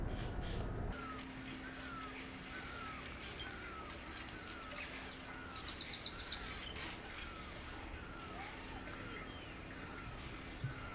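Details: Female Chestnut-bellied Rock Thrush at Landour: a quick burst of high, sharp ticking notes repeated rapidly for about a second and a half, with scattered thin chirps and faint lower whistles in a quiet outdoor setting.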